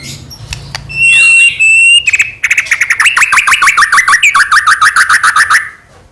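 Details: White-rumped shama singing to provoke rival shamas: a few clicks and a held whistle, then a rapid rattling series of descending notes repeated over three seconds before fading.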